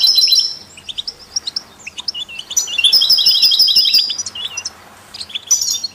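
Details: European goldfinch song, kept among canaries and goldfinch-canary mules and played to stimulate other songbirds: bright twittering phrases high in pitch, rapid trills and buzzy notes separated by short pauses.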